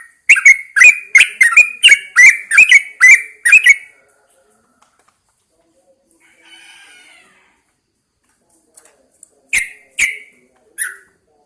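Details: Caged Yellow-vented Bulbul hung outdoors in the early morning to prompt singing: a fast run of about eight sharp, bubbly notes with clicky onsets, then a pause and a few scattered notes near the end.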